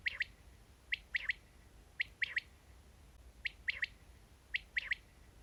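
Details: Quail call, said to draw quail into nets by itself. Sharp three-note phrases, one short note then a quick pair, repeated about once a second over steady low background hum.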